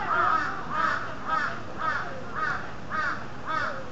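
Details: Peafowl at Maruyama Zoo in a female and male exchange: loud, harsh, nasal honking calls repeated about twice a second in an even series of seven, each short and slightly arched, with a steady hum of background noise.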